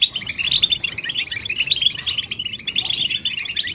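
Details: European goldfinch mating and readiness calls, used to stimulate silent males into singing: a dense, rapid twitter of high, bright chirps and short trills running continuously, with a few sharp whistled notes standing out.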